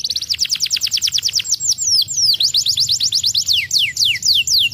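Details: Canary song played to stimulate lazy canaries to sing: rapid high trills of repeated notes, then a series of sharply descending whistled sweeps, continuous and loud throughout.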